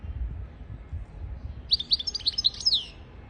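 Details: European goldfinch song for tutoring goldfinches and canaries: after about a second and a half of near quiet with low hum, a quick run of sharp, high chirps and liquid trills, ending in a slurred falling note.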